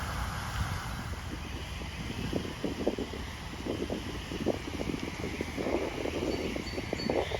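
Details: A low wind rumble runs under a scatter of soft rustling and splashing taps, with no clear animal calls.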